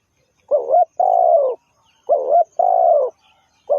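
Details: Spotted dove kept as a trapping decoy repeating its call about every one and a half seconds. Each phrase has a wobbling opening note and a long, mellow, falling croon, and a third phrase begins at the end.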